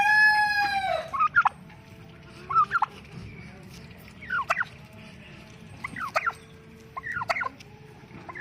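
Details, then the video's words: Tom turkey, described as angry, gives five or six short rattling gobbles spaced roughly a second or more apart, after the tail end of a rooster's crow at the start. "angry turkey bird tom"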